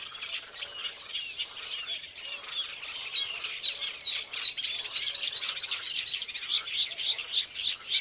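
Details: Violet-backed starling (Cinnyricinclus leucogaster) chattering in fast, high chirps and squeaky notes that quicken and grow louder toward the end, nearly four per second, over a faint hiss.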